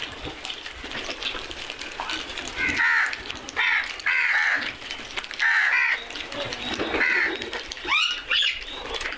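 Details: Crows cawing and making noise: a series of loud, harsh, hoarse caws, each about half a second long and coming in irregular bursts, with other faint bird calls and outdoor noise behind.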